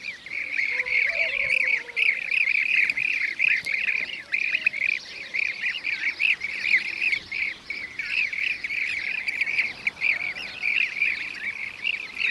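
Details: Blue-cheeked bee-eaters recorded in Şanlıurfa, Turkey, in 2016, giving a continuous stream of rolling, trilled calls from several birds, the notes overlapping steadily throughout with little break.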